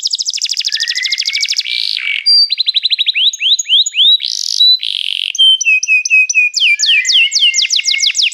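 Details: Canary singing a varied, loud song: fast rattling rolls, short buzzy bursts, clear level whistles and rapid repeated sweeps, switching tours every second or two without pause.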